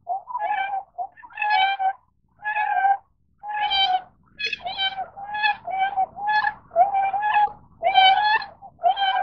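Tundra swans give mellow, slightly nasal hooting calls, each about a second long, about one a second. Several birds sometimes overlap.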